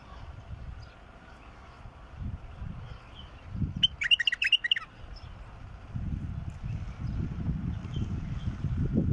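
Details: Bulbul song, a 'mukhlif' bird played to get a silent bulbul singing: a single brief cluster of rapid warbled notes midway through, surrounded by low rumbling background noise and occasional faint chirps.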